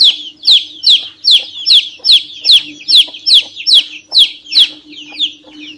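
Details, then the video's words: Domestic chick piping insistently: sharp, high, falling peeps repeated briskly, more than two per second, over a quiet constant low hum. "PINTINHO PIANDO MUITO - SOM DE PINTINHO VERDADEIRO"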